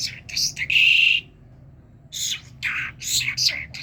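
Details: From Kerman, a talking common myna sounds a steady whistled tone between scratchy chirps, pauses briefly, then resumes with quick harsh notes.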